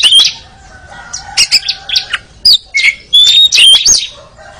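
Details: Energetic magpie-robin song for training, made of clear whistled notes that slur up and down mixed with harsh chirps. A faint lower whistling voice runs in the background.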